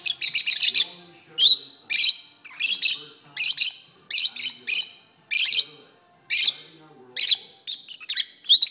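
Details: Pet lovebirds in a long, continuous singing bout indoors: rapid clusters of piercing, high chattering chirps and squeaks, each burst about half a second long and repeated roughly every second.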